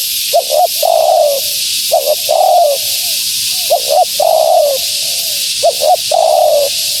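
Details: Female spotted dove calling, used to attract wild doves: repeated phrases of two quick low coos followed by a longer drawn-out coo, roughly every one and a half seconds, over steady high hiss.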